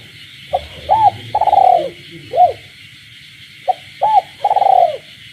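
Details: Spotted dove kept in captivity, cooing after dark in rural surroundings while frogs call: two phrases of soft hooked coos each centred on a long trilled note, a continuous high frog chorus filling the background.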